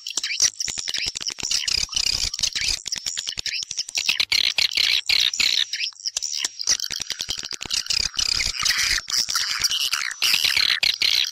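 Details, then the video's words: Swiftlet chorus played to attract the birds into a house: high twittering and chirping that never stops, crowded overlapping calls with rapid clicky pulses, a short thinner stretch midway before the dense twitter resumes. "Âm thanh dụ Yến vào nhà"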